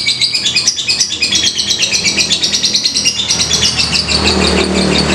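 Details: Ngetik ngekek song of a fighter lovebird, used to lure other birds into singing: fast, scratchy, high-pitched chatter of about three notes a second, running on without a break, with a faint low hum underneath.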